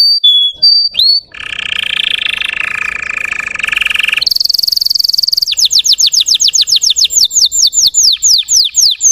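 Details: Russian canary song to provoke untrained canaries: a few whistled notes, a long raspy roll, a piercing trill, then rapid repeated falling sweeps.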